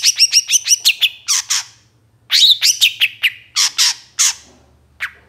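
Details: Moulting long-tailed shrike singing energetically, played to provoke captive shrikes: bursts of quick, harsh, buzzy chattering notes, six or seven in a fast row, then a pause and another grating series, with scattered rasping squawks.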